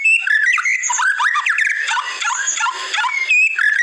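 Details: Masteran recording of white-rumped shama. A rich, dense medley of clear whistles, upward slurs and scratchy notes flows almost without pause.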